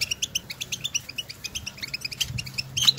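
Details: European goldfinches outdoors in nature calling to one another: rapid, bright, high chirps and twitters repeated several times a second, with a faint steady low hum underneath.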